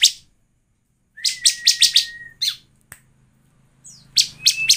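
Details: Bar-winged prinia song played as a lure to make birds sing: a run of loud, scratchy chips above a steady thin whistle, a lone click, then a further burst of chips.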